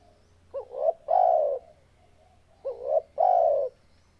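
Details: Two cooing phrases from a spotted dove, each a quick quavering upward note and then a drawn-out, mellow, slightly descending coo, with a quiet pause between them.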